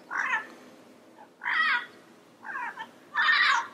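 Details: Wild yellow-headed parrot uttering four coarse squawks of varying length, the last one longest and loudest, with soft ambient hiss between calls.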